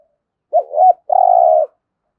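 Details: 'Thúc gù' coo of a spotted dove kept for decoy training: a soft, wobbling double note leads into a drawn-out, even, steady coo. The recording is clean and quiet.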